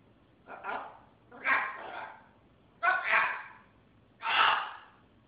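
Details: Pet military macaw talking indoors: four hoarse, speech-like phrases with harsh broadband syllables spaced about a second apart, no other sounds.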